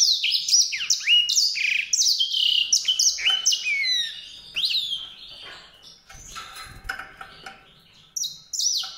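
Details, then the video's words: White-rumped seedeater singing: a dense run of sharp, sweeping high notes over the first four seconds. The song then thins to softer scattered twitters with a pause, and a final bright burst comes near the end. "song canário-de-sobrebranco, Weißbürzelgirlitz, Edelzanger, kanárik sivý, zvonohlík šedý, greysinger"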